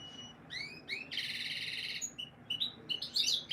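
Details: A canary sings breeding-conditioning song meant to boost females' mating instincts: a lively run of high rising sweeps, then a rich, rolling buzzy trill about a second long, followed by quick varied chirps.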